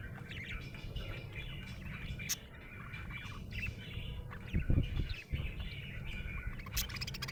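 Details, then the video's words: Budgerigar in a happy mood, chirping in a lively, unbroken run of thin twitters and chattering warbles, with a short loud clatter near the middle and a sharp click later. "Happy budgie chirping sound"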